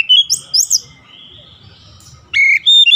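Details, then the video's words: Oriental magpie-robin song, used as daily training to make the bird sing a long rolling song. Loud clear whistles open the phrase, then a pause with faint background noise, then bright repeated whistled notes at the end. "KACER CEPAT NGEROLL PANJANG"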